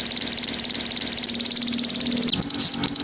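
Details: Canary recorded as a master song for tutoring birds, delivering a rapid, evenly pulsed high trill for about two seconds before breaking into short scattered chirps. A steady low hum is audible throughout.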